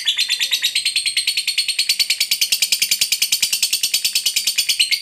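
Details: Long ngekek chatter of a lovebird, used to provoke a silent bird into answering: fast, evenly pulsed shrill notes repeated several times a second, continuous through the whole stretch.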